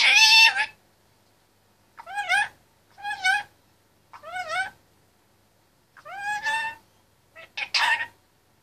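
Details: Caged male Indian ringneck parakeet, 25 months old, chattering: a loud harsh burst, then a series of short rising, speech-like phrases spaced about a second apart in a quiet indoor room.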